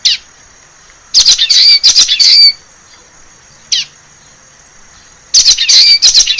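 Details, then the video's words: Common waxbill in the wild, singing in forest: short clusters of high, nasal, buzzy chirps come in three bouts separated by pauses, with a single brief note between. A thin steady high whine runs beneath. "CANTO DO BICO DE LACRE SELVAGEM"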